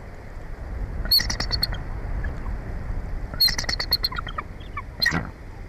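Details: Bald eagle at a nest 145 feet up in a Jeffrey pine in Big Bear Valley, San Bernardino Mountains, Southern California; two short bursts of high, thin chittering notes about two seconds apart over a steady background hiss.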